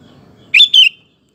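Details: Sooty-headed bulbul singing as a lure for other males: one quick two-part whistled phrase, first note rising sharply, second sliding down, with light low background noise before it.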